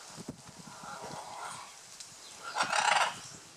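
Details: Courting scarlet macaws on the Osa Peninsula at Playa Blanca, La Palma, Costa Rica. Softer raspy notes give way to a loud, coarse, drawn-out screech near the end, with faint low rustling throughout.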